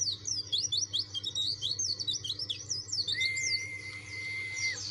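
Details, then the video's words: White-eye singing persistently, said to provoke rivals and draw replies from other white-eyes: rapid high zigzag chirps in a quick chattering run, then a long level whistled tone held about a second. "PLECI DAKUN NGOTOT CARI LAWAN.!!"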